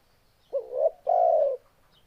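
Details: Single spotted dove phrase: a doubled short rising note followed by one long, steady, mellow coo.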